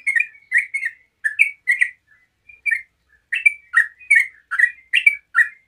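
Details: Yellow-vented bulbul in rapid 'ropel' song, used as a lure to make other bulbuls answer: short chattering, slightly buzzy notes, some rising and some falling, in quick bursts with a pause near the middle, clean background.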